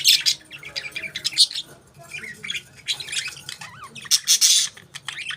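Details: Pet budgerigars chattering with high, buzzy chirps and a few warbling notes, fairly continuous with loud bursts near the start and end, over a low hum.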